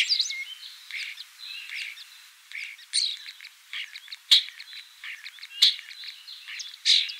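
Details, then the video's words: Common starling (Sturnus vulgaris) singing in a scratchy, varied medley of short whistles, creaky notes and buzzy phrases, broken by three loud sharp clicks spaced about one to one and a half seconds apart. "Обыкновенный скворец (Sturnus vulgaris) - голос"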